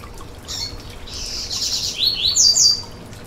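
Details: Coleiro baiano, the Yellow-bellied seedeater, in song played to warm up a caged bird: a long high buzzy trill that flows into rapid, piercing, downslurred whistles, loudest near the end, against faint steady hiss.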